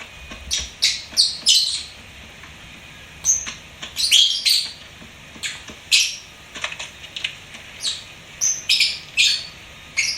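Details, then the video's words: Lovebird singing at home: irregular bursts of piercing, scratchy chirps and short squeals, some in quick pairs, separated by brief quiet gaps. "LOVEBIRD SINGING & CHIRPING SOUNDS"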